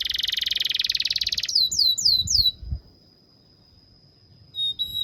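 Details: Canary tutor song for young birds: a rapid pulsing buzzy roll, three looping descending whistles, a thin steady tone, and two short sharp notes at the end, over faint low rumble.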